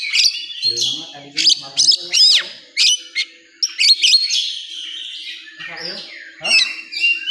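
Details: Oriental magpie-robin singing at a songbird contest: bright, rapid whistled and chattering phrases with sharp upward sweeps and trills, overlapping with other birds' song, faint talking in the background.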